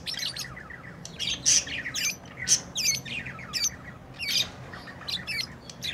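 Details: Squawky lovebird chirps: sharp, piercing, rasping notes in irregular clusters roughly every half second, with a steady low hum behind.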